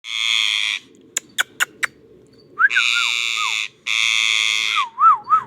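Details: Ringneck parrot giving loud, harsh, buzzy screeches of about a second each, separated by sharp clicks, with wavering whistled notes that rise and fall between them.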